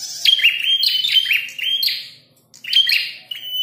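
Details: Prinia with a red head, calling in a fight: sharp, ringing chirps and buzzy notes in a rushed series, a short pause, then the chattering resumes.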